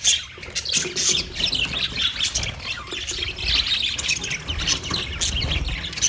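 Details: Budgerigars on 29 February 2024 give rough squawks mixed with quick high tweets and warbles, several birds calling at once in a busy, scratchy chorus.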